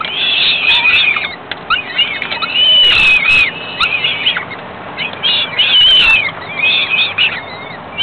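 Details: A female falcon feeds her nestlings a few hours after they were ringed. The chicks give a chorus of piercing, quavering squeals with rising and falling slurs. The calls come in uneven bursts with light clicks and rustles between them.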